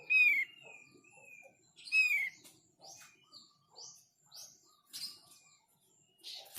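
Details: Song of the Thick-billed White-eye, played so that others of its kind will reply: two bright, falling whistles about two seconds apart, followed by a run of short, rising, high chirps.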